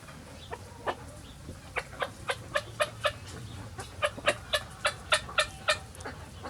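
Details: Chickens of various breeds free ranging on a farm on a sunny day. Short, sharp clucks repeat rapidly, about four per second, in uneven bursts over a low rumbling background.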